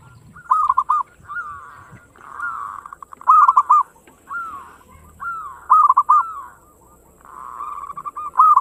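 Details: Singing local zebra dove in the fast 'ngayer engkel' style, used to prompt other birds to sing: rolling coo phrases repeat every second or so, interspersed with longer buzzy, vibrating cooed runs.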